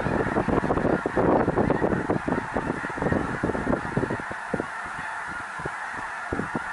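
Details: A huge flock of snow geese near Minot, North Dakota, fills the air with countless overlapping nasal honks, a steady babble in which single sharper yelps stand out at times.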